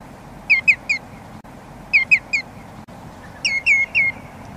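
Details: Common greenshank calling in three bursts of ringing, downslurred notes, each burst a quick run of three clear whistled tews, separated by pauses of about a second, over a low background rumble.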